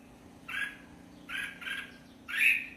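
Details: Red-whiskered bulbul giving four husky, slightly harsh whistled notes, the last one loudest, spaced half a second to a second apart, over a quiet steady hum.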